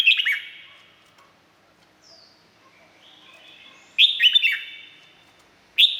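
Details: A caged Red-whiskered bulbul in Thailand gives a short burst of liquid, warbling whistles, falls silent, then sings a second similar phrase. A third phrase begins at the very end. Each phrase is followed by a reverberant tail.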